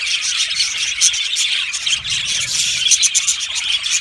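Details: Brief burst of an Australian budgie aviary colony: many birds chirping and singing together, a dense high twitter with a few clear piping notes on top.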